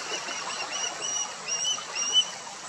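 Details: Young ospreys in the nest exchanging calls; a few thin high whistles, slightly rising, set against constant rushing background noise.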